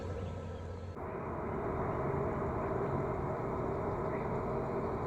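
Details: A steady loud rumble of passing engine noise, like traffic or an aircraft, fills the recording; no animal voice.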